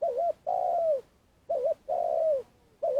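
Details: Caged lure Spotted dove from Vietnam used to attract wild doves into traps, its long call a quick double-humped coo then a drawn-out descending coo, repeated about every one and a half seconds.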